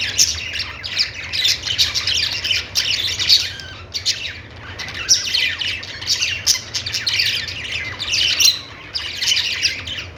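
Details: Group of budgerigars chattering in repeated surges about every two seconds, scratchy chirps and squeaky warbles, with a low hum beneath.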